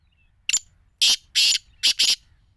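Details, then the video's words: Black francolin of Sindhi breed, noted for its chakri call style, giving a loud harsh grating call of five rasping bursts in quick groups, with a thin high whistle heard before them. "Chakre vale sindhi nasal ke kaly titar | چکری والے سندھی نسل کے کالے تیتر"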